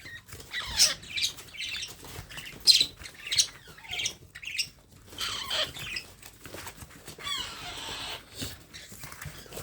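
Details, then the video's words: Baby parrot being hand-fed, giving high, harsh chirps and squawks in short irregular bursts, some with quick falling sweeps, about thirty a minute, with faint rustling between calls. "How to Feed Baby Parrot"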